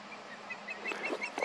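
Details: Ospreys at their nest, a juvenile and its mother, while a person walks underneath; the male perches on a light pole across the field. A rapid series of short, high whistled chirps, growing louder, over faint rustling.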